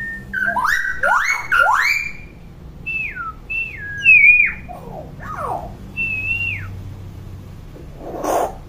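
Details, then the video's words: Common hill myna, very vocal, serving as a tutor for young birds. Loud, clear whistles rise and fall in quick series, mixed with sharp upward swoops and scratchy notes, ending with one soft breathy sound. "KING BURUNG BEO GACOR & CEREWET"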